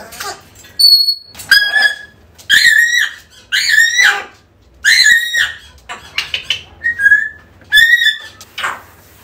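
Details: African grey parrot, used to help bring back a lost bird: a fast series of harsh, grating screeches and shrieks, some with a whistled edge, repeated in tight bursts over several seconds.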